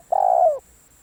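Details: Single spotted dove coo from a decoy bird: one hoarse, steady note lasting about half a second that sags slightly in pitch at the end, followed by silence.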